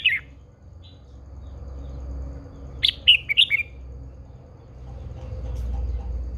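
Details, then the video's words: Red-whiskered bulbul, an old wild female used to spur a male into fiery singing: a short whistled note at the start, then a quick burst of four bright warbled notes near the middle, over low background hum. "Chào mào MÁI GIÀ RỪNG || Chào mào MÁI THÚC TRỐNG căng lửa."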